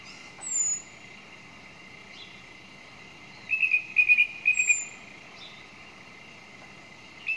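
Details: Quiet pause broken by a song thrush's brief clusters of rapid, repeated notes in the middle, with a few faint high calls before and after.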